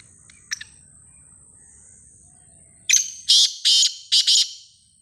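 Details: Black francolin calls over a continuous high insect whine. A burst of four or five scratchy, harsh notes comes after three seconds of quiet, preceded by faint distant chirps.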